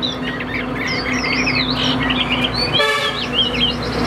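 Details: Caged Chinese hwamei of the Tam Hoàng type, described as calm-natured with a fine, even voice, singing loud varied whistled phrases that rise and fall, with a brief buzzy harmonic burst near the end and steady low hum beneath.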